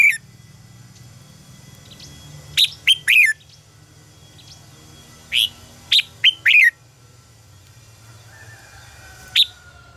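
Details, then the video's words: Red-whiskered bulbul contest song for luring and training birds: a few soft notes, then tight bursts of three to four sharp, falling whistles, and a lone high note near the end. "luyện giọng cho chào mào hót hay - căng lửa, chào mào hót quá phê"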